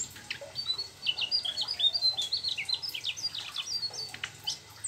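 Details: Mugimaki flycatcher singing a rapid, varied rolling song of high whistled and chirped notes, with many short slurred phrases packed closely together and no pauses.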